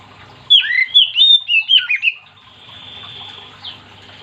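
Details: Oriental magpie-robin singing actively to stir other magpie-robins into song: a quick run of about six loud, slurred whistles swooping up and down, then a thin sustained high tone and a short upward note over a low hum.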